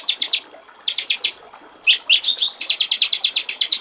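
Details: Clear 'gericik air' (water-trickle) style song of a white-rumped shama, a master recording for training songbirds: short runs of rapid high notes, a pause, then a sharp rising whistle leading into a fast trill.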